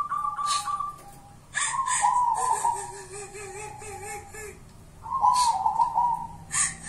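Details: Zebra dove of the 'kuntilanak' kind, local wild origin, sings rippling cooed trills that drop into a low, pulsing purr before rising again, with scattered clicks and faint background noise.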